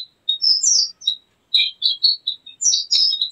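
Javan grey-throated white-eye singing a rapid, high, twittering chatter of sharp whistled notes in short bursts, with brief pauses between phrases.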